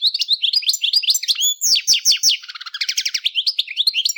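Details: Continuous fast, melodic twittering of a European goldfinch, a prized songbird often kept as a pet or bred, mixing liquid chirps, downward-sliding whistles and a short buzzy stretch in the middle, without pause.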